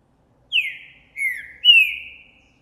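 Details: Green-winged saltator, Trinca Ferro Boi type, recorded January 2024, excited by a female nearby: three clear whistled notes, the first two slurring downward, the last higher and level, spaced about half a second apart in silence.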